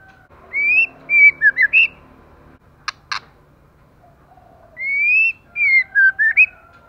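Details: Moulting female white-rumped shama singing hard: clear whistled phrases of rising and falling slurred notes, split by a pause with two sharp dry clicks, then a similar whistled phrase repeats.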